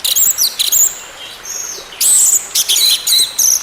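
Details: Orange-headed thrush song meant to coax a silent bird into singing. High whistled phrases and sharp chirps come in irregular bursts, with a steady thin high tone running beneath.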